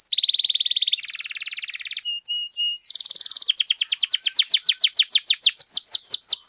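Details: Canary song used to train and trigger other singers: a buzzy high trill, a lower rattling trill, clipped clicks, another bright trill, then a long accelerating run of crisp downslurred whistles.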